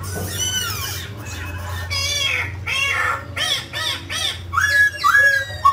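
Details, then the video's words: Grey laughingthrush, a mutant bird, singing and dancing: varied harsh squawks and rich arching notes, then bright rising whistles near the end, over a steady low hum. "Chú chim khứu xám tro đột biến hót múa cực đẳng cấp"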